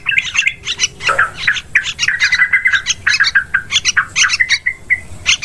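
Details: Yellow-vented bulbul lure recording for hunting birds in forest, rice fields and plantations: dense bursts of scratchy chatter broken by short clear whistles, ending with a few isolated chirps.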